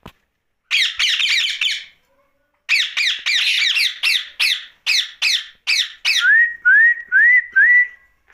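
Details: Pet ringneck parakeet at night, sending out bursts of short harsh screeches, several per second, in two runs, then a few clear rising whistled notes repeated about every half second.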